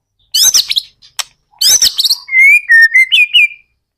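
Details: White-rumped shama lure song for prompting other shamas to sing: two bursts of harsh, high chattering notes followed by a run of pure, level whistled notes that step up and down.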